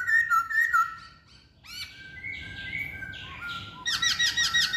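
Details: Masked laughingthrush song: clear whistled notes that sag and rise, then a breathy pause and a rapid string of bright looping warbled notes.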